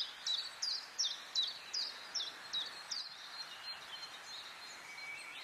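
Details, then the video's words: White Wagtail (Motacilla alba alba) at Quiberon, France, in May 2017 gives a run of sharp, high two-part chirps, about three a second, fading after a few seconds over a soft hiss. "Bergeronnette grise (Motacilla a. alba) White Wagtail"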